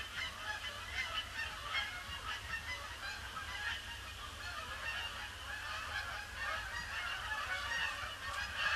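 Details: A large flock of Canada Geese circles a pond before landing on Boxing Day, on a gloomy grey day. Constant overlapping nasal honks from many birds, steady and dense throughout, over a low background hum.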